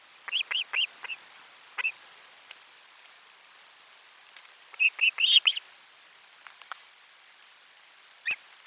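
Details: Osprey at the nest during a lunchtime fish delivery on 12 July 2022. Somewhat softer whistled chirps in a short rapid series, then a denser burst and a single late note.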